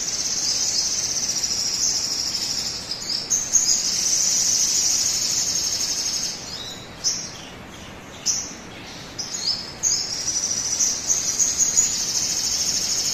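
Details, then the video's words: Sogon singing, used as a lure to coax other birds into song: extended very high rapid trills broken by brief pauses and short chippy notes, then resuming steadily, over soft hiss. "pancingan suara burung sogon agar cepat bunyi"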